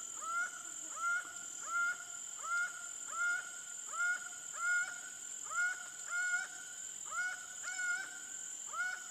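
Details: Laughing falcon (Herpetotheres cachinnans) gives loud, nasal, rising-then-level calls repeated about every three-quarters of a second, over a steady high insect drone.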